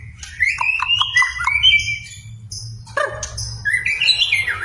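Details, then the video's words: White-rumped shama singing to rouse a reluctant bird into song: rising whistled slurs broken by rapid sharp ticks, a short pause, then a stuttering note and a fresh upward whistle, with low hum behind. "PANCINGAN MURAI BATU GACOR BONGKAR MATERI // AMPUH UNTUK MENAIKAN EMOSI MURAI SUSAH BUNYI"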